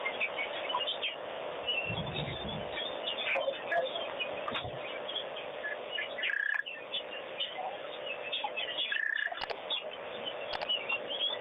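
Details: Wattled starlings at Pete's Pond during a bath, their steady chatter of thin chirps and brief whistled notes running throughout, with low splashing rumbles early on.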